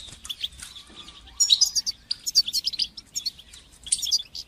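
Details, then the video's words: European goldfinch singing batbata and satsata, played to stimulate goldfinches and teach fledglings: busy, jingling twitter with tightly packed chirps, running almost without break and growing louder midway. "تقنيات تحفيز طيور الحسون لتشجيع نجاحها في التغريد بتبتة وستستة"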